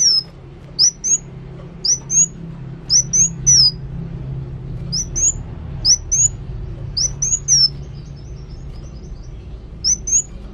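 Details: ['Kolibri wulung sunbird in active song, giving brief paired high whistles with rising and falling slurs in loose bursts, separated by short pauses, over a low background hum.']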